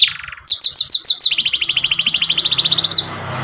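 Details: A canary sings a bright, high-pitched song used as a tutor for young canaries learning to sing: a brief buzzy note, then a quick run of slurred chips and a long rapid trill.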